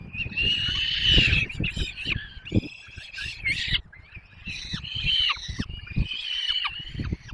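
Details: Nestling peregrine falcons begging while fed at their nest, Barycz Valley, Poland, 6 May 2021. Several thin, high, quavering whines overlap in bursts, broken by short pauses, with low knocking and scraping noises beneath.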